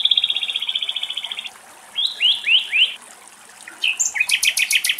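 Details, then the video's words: European stonechat in Greece, a regular at one site, singing a fast, rattling trill of high notes, then three scratchy rising phrases and a burst of quick, jangling notes. "Μαυρολαίμης - Πουλιά του Δάσους Κελάηδημα - European stonechat"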